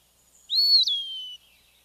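Eastern Wood-Pewee giving a single clear, high, slurred whistle that swells upward and then drops, lasting just under a second; nothing else is heard.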